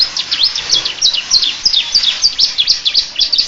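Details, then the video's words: Bar-winged prinia imitation sung by a canary: sharp, high, V-shaped chirps repeated rapidly, around three per second, forming a bright, continuous twittering phrase. "Suara kicau burung kenari rasa ciblek"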